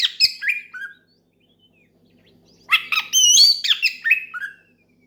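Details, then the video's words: Oriental magpie-robin singing hard to challenge a rival and get others singing: a short phrase of falling whistles, a second of quiet, then a dense burst of warbled, rising and falling whistled notes. "SUARA KACER MEMANGGIL LAWAN NGEPLONG KERAS BIKIN KACER LAIN IKUT GACOR"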